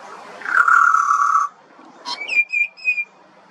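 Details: Young pied butcherbird of Australia singing a long, steady, clear fluted whistle, followed after a short pause by a sharp note and three quick repeated higher chirps.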